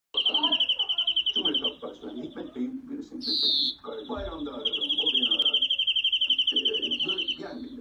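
European greenfinch singing long, fast, high trills broken by a brief rising nasal wheeze, over a low murmur of background voices.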